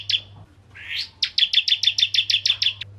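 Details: Bar-winged prinia of the crystal ('ciblek kristal') kind, singing actively as a lure for other prinias: a single sharp note, a rising buzzy swoop, then around eleven rapid piercing chips, over a faint constant hum.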